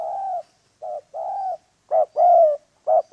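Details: Spotted dove at a dove trap, a rapid series of low coos of varying length, some long and level, others short, loud and close, without other noise.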